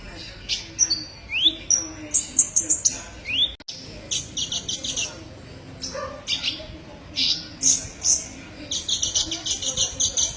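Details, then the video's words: Kolibri ninja sunbird training song: rising whistled slurs followed by dense runs of high, sharp chirps and trills, with a brief break midway. "masteran burung Kolibri ninja"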